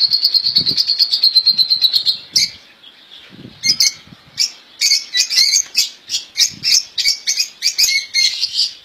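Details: Caged European goldfinches, known locally as ghandour, in a home cage, sold as faultless song: a rapid even trill near high pitch for two seconds, a brief pause, then fast twittering notes with chirps and rattles.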